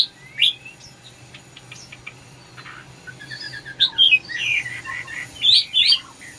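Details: Red-whiskered bulbul singing: a few faint scattered chirps at first, then a louder burst of bright, slurred, warbling notes near the end, with short pauses between phrases.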